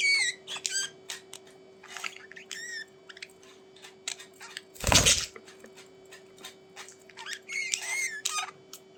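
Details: Budgies calling sparsely in a quiet room, with scattered high wavering chirps and clicks, a loud rustling knock in the middle, and a burst of warbled chatter near the end.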